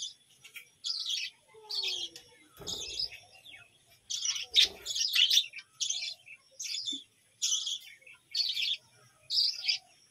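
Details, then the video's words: Softer, evenly spaced bursts of high, scratchy chirping from budgerigars in a village home colony, each lasting about half a second, with a couple of faint thumps. "বাজরিগার পাখির ডাক ও কিচিরমিচির গান"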